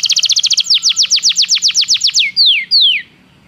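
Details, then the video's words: Song of a Belgian canary for training: a quick burst of high trill notes, then a steady series of down-sweeping whistles, ending with two longer, drawn-out falling slurs before silence. "O canto do canário belga"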